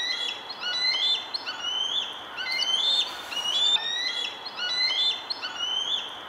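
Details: Adult female bald eagle at Centerport, 6 May 2019, defending her eaglets alone after a juvenile bald eagle came too close; a series of high, thin piping and chattering whistles, repeated roughly once a second, with slight rising inflections.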